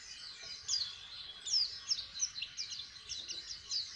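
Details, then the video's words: White-eye practising its song as it learns to open its beak: soft, high, rapid twittering with short descending slurred whistles, fairly faint against low background noise. "Pleci jhonshon belajaran buka paruh"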